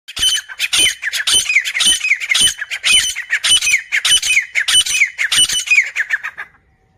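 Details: Grey francolin, three birds met in jungle; loud, harsh squawking notes, each bending downward, repeated rapidly about twice a second without pause through the whole stretch, then silence at the end.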